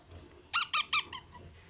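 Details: Baby parrot calling at feeding time: three short, harsh, squeaky notes in quick succession, then two fainter trailing squeaks, against a quiet low background hum.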